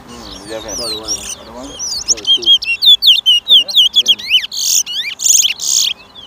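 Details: Towa towa (chestnut-bellied seed finch) singing in a 2023 bird race at Lamaha Street, Georgetown, Guyana: quick rhythmic sequence of clear whistled downslurs, about two per second, then loud buzzy bursts, over soft human voices.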